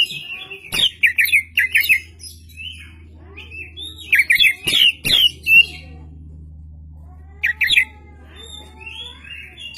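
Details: Lively oriental magpie-robin song used as a lure for other magpie-robins: varied whistled and buzzy phrases in short bursts, some with sharp clicks, separated by pauses, over a steady low hum.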